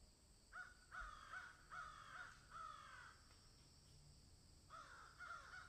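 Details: Crows calling in a field where a swallow and an egret are also present: harsh, nasal caws in bursts of two to four, about every second, with a pause before a final series; steady high hiss.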